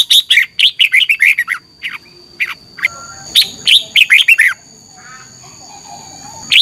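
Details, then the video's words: A red-whiskered bulbul delivers morning competition song to excite other birds: a dense run of rapid, sharp whistled notes, then a second fast burst, followed by near silence and one last note at the end. "Luyện chào mào hót sáng - chào mào hót đấu"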